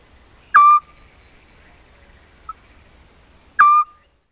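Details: A Eurasian scops owl sings two short, mellow whistled notes about three seconds apart, each starting with a quick slur, on a quiet spring night; camera-trap recording in the countryside of Corte Franca, Cavarzere (VE), Italy, where the migrant arrives around March/April.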